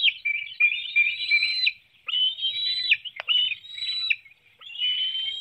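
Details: At a Hanover, Pennsylvania nest, bald eagles are filmed at breakfast on June 9, 2019, 7:04 a.m., an adult feeding fish to one young. Piercing slurred whistles come in bursts of one to two seconds, separated by brief silences.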